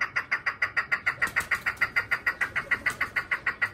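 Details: Chukar partridge, a hunting bird, likely farm-kept: a rapid run of harsh clucking notes, about three per second, evenly spaced and steady, with low background rumble.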